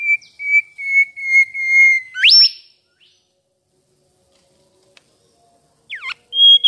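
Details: Mangrove whistler (Pachycephala cinerea) singing at home: five steady mid-pitched whistled notes, then a sharp upward whip. After a pause come two quick rising notes and a high held whistle.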